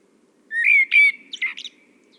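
A Common Blackbird sings one brief phrase of clear fluty whistles, then a quick squeaky twitter at the end, against a quiet background.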